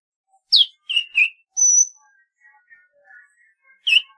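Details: Song of a golden-fronted leafbird: a sharp chirp and two burry notes, a clear, high, level whistle held for half a second, faint soft murmurs, then a final loud chirp.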